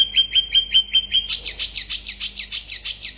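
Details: Long-tailed shrike singing fast to provoke other shrikes into replying: a rapid series of clipped whistles on one pitch, then a run of louder, rising, scratchy chirps repeated about four times a second.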